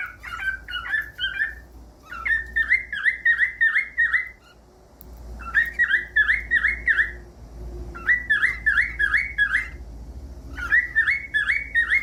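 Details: For teaching a cockatiel to sing, a cockatiel repeats short runs of fast, wavering whistled notes in four similar phrases, each about a second long, over a low background hum.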